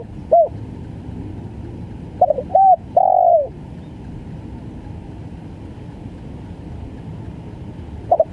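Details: One spotted dove phrase, stuttering 'gagap' type: a short isolated note, then a double note, a short coo and a long falling coo, followed by several seconds of low hum and a faint note at the end.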